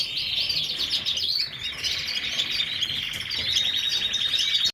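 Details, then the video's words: A Lancashire canary sings a continuous high warble, with dense buzzy trills and rolling chatter held at a steady loudness throughout, a brief dip midway, then rising again. "كناري لانك شاير ، lancashire Canary"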